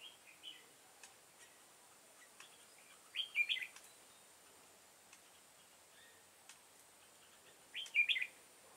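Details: Red-whiskered bulbul of the 'devil-face' type recorded on 22 September 2018 during trapping with a decoy bird: two short bright warbled phrases, rising and falling, about five seconds apart, with faint ticking sounds and low background hiss.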